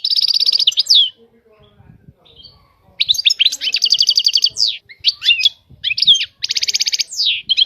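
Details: Goldfinch song in several phrases: a rapid high trill, a pause with faint low sounds, then tinkling twitters, buzzy trills and sharp slurred notes repeated in quick succession.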